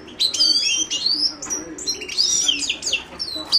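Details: Rapid, unbroken song from a Himalayan goldfinch (Carduelis caniceps), a stream of high, rising and falling whistled twitters and metallic chirps packed closely together.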